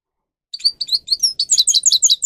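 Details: Grey-crowned goldfinch song recorded for teaching captive birds to sing: after brief silence, a quick series of bright, high chirping notes, evenly repeated and accelerating into a tinkling phrase.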